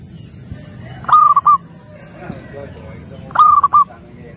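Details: Local Majapahit-line zebra dove in full song, giving two short phrases of a clear drawn-out coo with quick stuttered notes, over low background hum.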